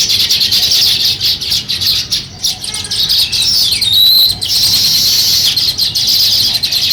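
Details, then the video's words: Sparrows at the start of nest building, giving a steady stream of high, sharp chirps with overlapping twittering, briefly quieter midway before the busy chattering resumes. "Sparrow Chirping Sounds | Sparrow start to Build Nest"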